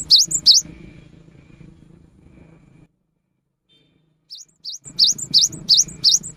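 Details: Cinereous tit singing in the rainy season, used as a lure: bright, high V-shaped chirps in quick pairs, then a long silent gap, then a fast run of sharp repeated notes over a faint low hum.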